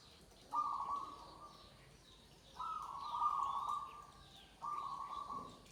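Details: Perkutut, or zebra dove, gives three sustained, even-pitched cooing phrases roughly every two seconds against a quiet, hissy background with faint higher bird notes.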